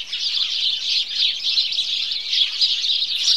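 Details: House sparrows massed in a morning chorus, their crowded, piercing chirps rising and falling in quick irregular pulses, about three surges a second, against no other audible background.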